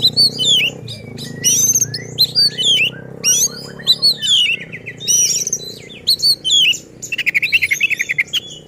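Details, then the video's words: Excited oriental magpie-robin delivering a fierce, persistent song that shows its repertoire, meant to provoke other magpie-robins; varied whistled phrases, slurs and chatter, ending in a fast buzzy rattling trill, with constant low humming noise behind. "Burung Kacer Gacor Ngotot dan Emosi Suara Menggila Bongkar Isian."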